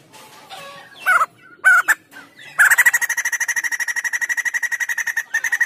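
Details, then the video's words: White-crested laughingthrush in vigorous song, meant for tutoring or prompting other birds: a few loud slurred calls, then a long rapid run of evenly spaced ringing notes lasting about three seconds. "POKSAY JAMBUL PUTIH GACOR MANTAP l UNTUK MASTERAN ATAU PANCING BUNYI"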